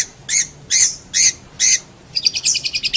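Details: Long-tailed shrike, a training recording for cage songbirds: four evenly spaced harsh, scratchy notes about half a second apart, then a fast chattering trill of thin high notes.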